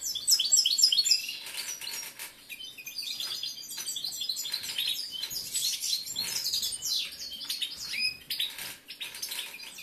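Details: Male European goldfinch in breeding condition, kept caged as a competition bird, with an ongoing busy twittering song of quick high chirps and slurred notes, steady throughout over faint background noise.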